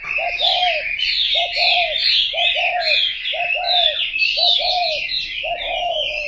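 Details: Spotted dove coos, low hollow double notes repeated about every second, almost drowned by a constant loud chorus of high twittering birds.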